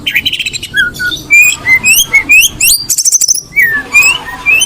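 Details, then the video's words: Oriental magpie-robin, a female in breeding condition, gives a lively string of short rising whistles, a few falling slurs, and quick stuttering trills of bright high notes, about two phrases per second. "Suara Kacer Betina lagi Birahi"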